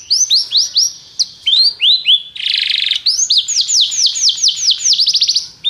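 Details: Canary song used for training, said to make a canary sing a lot: loud, varied phrases of rapid descending whistled notes, repeated trills and a harsh buzzy burst in the middle, all high-pitched with no other sounds.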